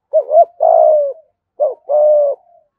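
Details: Low, mellow coos of a Spotted dove in the Vietnamese 'giọng thổ' gù thúc voice, a decoy sound for wild doves: a quick wavering note then a long steady falling coo, the phrase given twice in quick succession.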